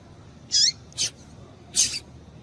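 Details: Calls of a female double-collared seedeater, used to stir males to sing: three quick, high, bright notes in close succession, the first ending in a short downward sweep, over soft steady hiss.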